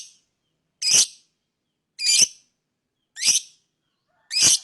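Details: Lovebird giving four loud, shrill chirps spaced a little over a second apart, each a harsh high burst with a quick rising squeak inside, silence between calls.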